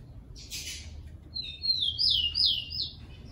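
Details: Song of a captive-training tico-tico, or Rufous-collared sparrow: a brief buzzy burst, then thin whistles leading into three or four strong falling slurred notes in quick succession over faint background hum.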